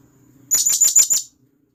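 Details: Blue-crowned hanging parrot, a wild forest bird, calling to companions with a single quick run of five sharp, high-pitched shrieking notes over a faint low hum.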